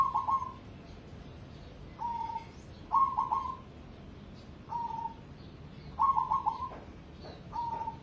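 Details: Zebra dove, cemani type bred for song contests, repeats short low coos alternating with quick stuttering trilled phrases, roughly one phrase every second or so.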